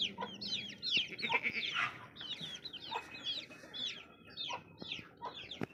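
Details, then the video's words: Baby chicks chirping in a chorus: many high, rapid peeping notes, each sliding down in pitch, overlapping densely with a few louder, longer cheeps mixed in. "Baby Chicks Chirping Sounds"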